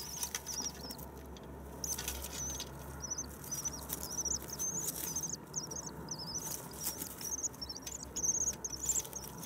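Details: Common swifts in spring, arrived on 9 May: thin, high shrill screams in short trilled bursts, repeated many times through the clip over a steady low hum and faint rustling.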